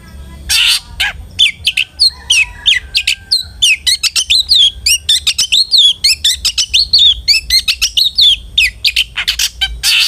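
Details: Long-tailed shrike singing as a lure for other shrikes: a long fast run of varied whistled slurs, chirps and trills, framed by harsh rasping notes at start and end.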